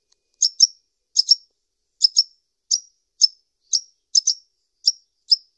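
A sunbird gives sharp, high chips, mostly in quick pairs, repeated roughly twice a second against a quiet background.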